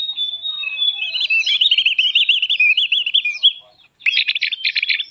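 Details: Javan grey-throated white-eye song used to lure and train birds, a sustained high warble with a rapid wavering, rolling pattern, followed by a burst of harsh, buzzy chattering notes.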